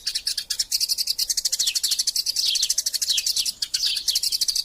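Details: Squabbling Eurasian tree sparrows, a masteran recording for training birds: a continuous, rapid burst of high, bright chirps, tightly packed, with a couple of short dips in the chatter.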